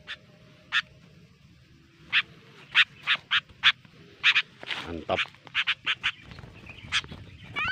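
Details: Sooty-headed bulbul at a clamp-trap bird-catching site gives sharp, bright chirps in irregular bursts, roughly two a second at times, over a low background hum.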